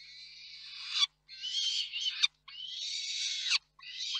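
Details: Peregrine falcons at a nest in Reda, 4 May 2023, as the father brings food and the mother feeds the young and sends him for more. Three long, raspy, wailing calls are broken by short pauses, with a few quieter squeaks.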